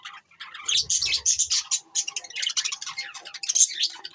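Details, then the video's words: Several standup budgerigars chattering almost without a break: dense, high, buzzy chirps and squeaky warbles overlapping, with a few soft low knocks early on. Recorded December 22, 2023. "Bueatiful Sounds Bueatiful Budgies birds"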